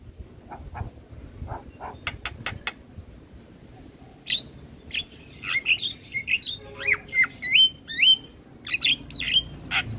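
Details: Javan myna song used as a training master: starts with sparse faint clicks, then turns into busy phrases of slurred whistles, squeaks and harsh notes in quick succession.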